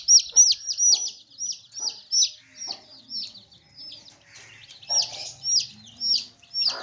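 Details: Chicks in a basket peep loudly in clear, high, downward-slurred chirps, repeated in quick runs, with soft low hen clucks in the background.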